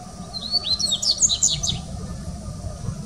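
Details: Dubois's seedeater at Sao Paulo Botanical Garden, Brazil, 2019, giving one quick high phrase of slurred whistles and sharp chirps, about a dozen notes in just over a second, against steady low ambient noise.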